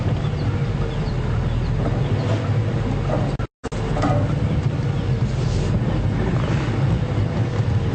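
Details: Steady low engine rumble from a safari vehicle on an afternoon drive at Djuma Game Reserve, with a brief dropout midway and no animal calls.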